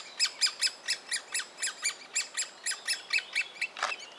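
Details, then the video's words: Fed youngster of the great spotted woodpecker in a willow trunk, Biesummerbos, Delfzijl: loud, harsh squeaky notes about twice a second, somewhat uneven in timing, ending with a brief broad rasp. "Specht voert jong- Woodpecker feed youngster"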